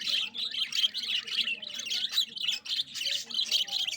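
Budgerigars chattering as a flock: a dense, nonstop jumble of high, scratchy chirps and warbles from many overlapping birds, with a soft low hum underneath.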